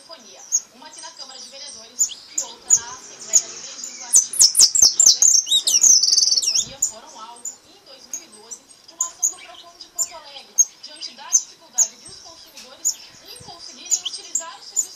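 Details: Repique from a pardo goldfinch: quiet high twittering and sharp clicks, with a loud burst of rapid, high, twisting notes lasting about two seconds mid-recording.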